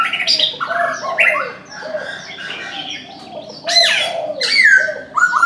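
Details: Chinese francolin calling in the morning: loud, harsh stepped notes falling from high to mid pitch in short bursts, with pauses between phrases and a bright rising-falling whistle near the end, amid other bird chirps.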